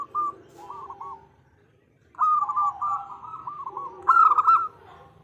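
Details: A female zebra dove calls for a male, her voice used as bait for male birds. Two cooing phrases of clipped, trilling notes are split by a quiet gap, and the last burst is loudest.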